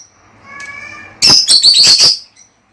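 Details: Lovebirds, sound meant to encourage breeding: a faint thin whistle and soft tones, then a loud burst of harsh, shrill chattering notes lasting about a second.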